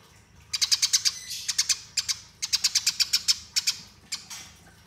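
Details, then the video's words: Eurasian tree sparrow in fighting song, kept as a master recording for training: dense runs of sharp, high chirps rolled together in fast clusters, several bursts over a few seconds, no other sounds. "Masteran Gereja Tarung Ngeroll Abis"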